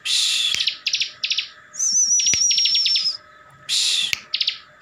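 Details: Ngebren song of a kept ciblek (bar-winged prinia) from Slawi in Tegal, Central Java, meant to provoke rival ciblek into replying. Harsh rasping bursts alternate with short stuttering note groups, and a long high wavering whistle sits in the middle.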